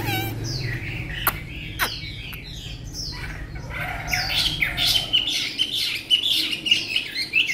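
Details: Chinese hwamei kept as a tame cage bird: after scattered clicks and taps with low hum, a fast ringing warble of high whistled notes builds up over the last few seconds.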